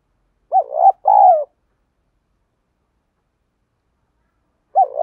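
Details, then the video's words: Spotted dove decoy singing to provoke other doves: a short rising coo and a longer descending coo, then silence before another coo begins. "Chim Cu Mồi Kích Bổi Hay. cu gay kich boi nhanh noi gù"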